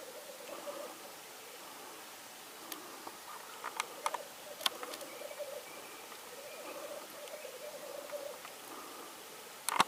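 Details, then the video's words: Black grouse on 8 May 2019 in Norway, steady low bubbling roll heard through most of ten seconds, broken by scattered sharp clicks and a louder snap at the end. "Black grouse,orrhane"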